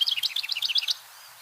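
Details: Male House Wren sings to declare and defend his territory in spring: about a second of rapid, bubbling high notes alternating up and down in a tumbling chatter, then quiet.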